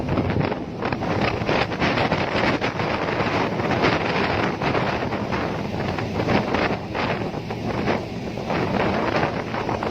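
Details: Loud broadband wind roar buffets the microphone throughout, with no animal calls heard.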